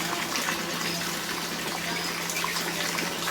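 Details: Steady rushing, gushing water fills the recording, with a low constant hum underneath and no animal calls.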